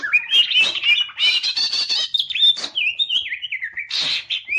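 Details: Green leafbird singing while fanning its tail: loud, varied whistled song with bright rising and falling notes, rapid chattering bursts and trilled phrases, then a descending run of slurred whistles and a final buzzy burst.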